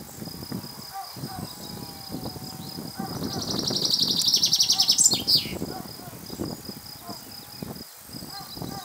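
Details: Two male common chaffinches answer each other in song. One phrase is heard clearly: a rapid series of repeated notes that speeds up, descends, and ends in a sharp flourish. Steady background noise is heard throughout.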